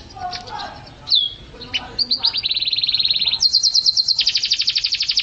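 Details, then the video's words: Canary song used as training recordings for songbirds. Mixed chirps open it, then a fast buzzy trill of repeated notes, then a higher, brighter trill repeated quickly to the end. "Suara Burung Kenari"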